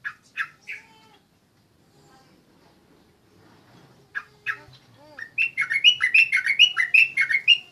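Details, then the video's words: Sooty-headed bulbul undergoing a mental test, opening with a few loud, separate chirps, then a pause. It breaks into a fast run of bright, scratchy notes repeated several times a second. A short lower swooping sound comes just before the run. "tes mental burung trucuk"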